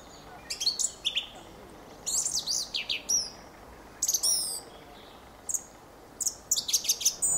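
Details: Fieldfare delivering a lively, almost continuous run of shrill squeaks, twangy slurred whistles and rattling chatter, its phrases tumbling after one another with only brief breaks.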